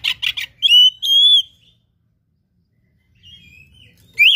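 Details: Oriental magpie-robin singing in gacor style: quick buzzy triplet, then long pure drawn-out whistles, a silence, a faint warble and a loud closing note.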